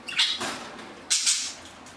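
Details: Pet budgerigars, two of which turned four years old on June 10. Two short, harsh, bright chirping squawks, separated by a brief quiet gap, in a quiet room.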